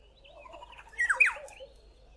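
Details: Black-headed oriole calling from a tree in a garden, giving a brief pair of loud, liquid, downslurred whistles with a slightly harsh edge, under half a second, against a quiet background.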